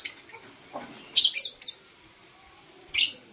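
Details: Lovebirds, Blue Opaline and Parblue Euwing Opaline, chirp in the morning with a cluster of loud, piercing squawks, a pause, then another harsh burst.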